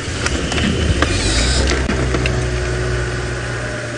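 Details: A steady low engine rumble from a safari drive vehicle at sunrise, with scattered mechanical clicks and rattles over the top.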